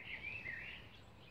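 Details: Bantam Rhode Island Red chicks about 11 days old, climbing a chicken ladder, give a wavering, high, continuous trilled peep lasting about a second that then fades, over a low background rumble.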